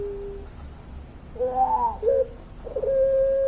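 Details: Long-voiced puter pelung dove: a soft low note, a bubbling rising phrase, a short throaty coo, then the start of a steady sustained low coo.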